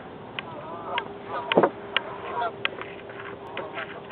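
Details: Geese flying south on migration over Lake Barkley; faint, scattered short honks with a louder cluster near the middle, muffled and thin-toned over a low steady background hum.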